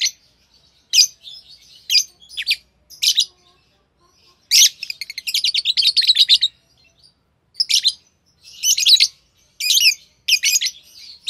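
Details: Pair of green Fischer's lovebirds with scattered shrill chirps and a fast rattling series of high notes in the middle, then more chattering bursts.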